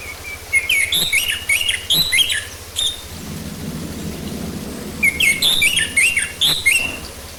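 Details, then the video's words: Orange-headed thrush song used as a lure to get the bird singing: two bursts of bright, high whistled and warbled notes with sharp downward slurs, and a soft rushing noise between them. "Pancingan Ampuh Buat Anis Merah Biar Cepat Bunyi"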